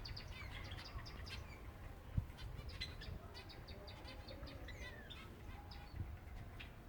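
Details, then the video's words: Several silver Java sparrows calling around feeding time, giving scattered bright, short chirps and a few slurred upward notes, busier early on and then thinning, with a low hum underneath and occasional soft knocks. "finches feeding time (silver java birds)"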